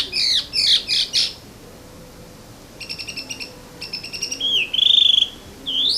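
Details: Morning birdsong with loud buzzy trills at the start, a pause, then rapid ticking note bursts and a clear whistled phrase, ending on a rising whistle.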